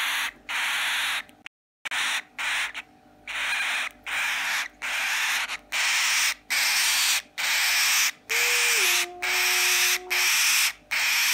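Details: A 10-day-old cockatiel chick, recorded on 21 November 2017, gives harsh, raspy begging calls in a steady run, about one each second.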